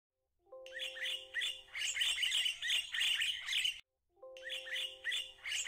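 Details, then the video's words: Red-winged starling in a Pretoria garden in January 2024: a busy stream of high chattering notes and squawks, opening with a steady, pure low whistle and broken by one short pause. "Red Winged Starling"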